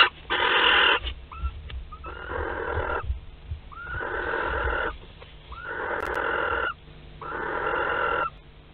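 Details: Barn owls at a nest in Théding on 31 March 2021, a wood mouse delivered alive: five rasping screeches about a second each, repeated roughly every one and a half seconds, some ending with a brief tonal squeal.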